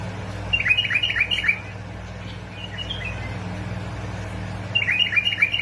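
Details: Basra and Fao bulbuls, Iraq, heard in a recording used to prompt bulbuls into song; two bursts of fluty, bubbling warbles at start and end with a faint softer phrase between, steady low hum beneath.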